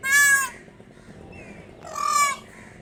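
A peacock gives two loud, harsh, nasal wails about two seconds apart, the second slightly longer and falling, over a faint background hiss.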